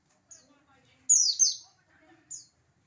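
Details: Oriental white-eye from Pacitan singing to provoke rivals: a brief high note, then a half-second tumbling run of shrill chirps and one final short chirp, over faint low background sounds.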